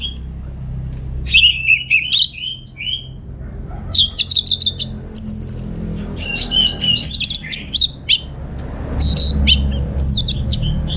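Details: Orange-headed thrush, a caged bird kept in northern Bali, Indonesia, delivering loud varied song: rapid repeated chattering notes, slurred whistles and mimicked-sounding phrases in quick bursts separated by short pauses, over a faint low hum.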